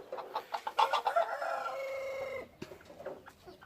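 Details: Loud, clear crow from a red junglefowl decoy: a few quick clucking notes, then one drawn-out, even, ringing crow of over a second that breaks off sharply, followed by faint clucks.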